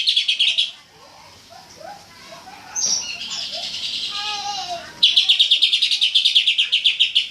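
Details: Greater green leafbird (cucak ijo) singing in full burst: a quick string of high repeated notes, a stretch of mixed chattering and slurred whistles, then a long loud rapid-fire volley of evenly spaced sharp notes.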